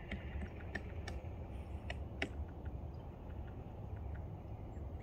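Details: A pileated woodpecker attacking a log near a cedar swamp at Bernheim pecks with sharp, irregular knocks, a few each second, over a steady low rumble of wind or distant traffic.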